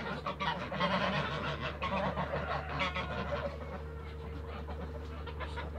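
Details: Toulouse geese flying and feeding in a backyard, a dense overlapping chorus of harsh honks and chatter from several birds, with a steady low hum underneath throughout.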